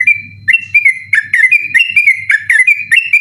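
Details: Sooty-headed bulbul singing at night, a recording meant for training other birds: a rapid series of short bright whistled notes around two to three kilohertz, each dropping or rising, repeated about three times per second, with a low steady hum beneath.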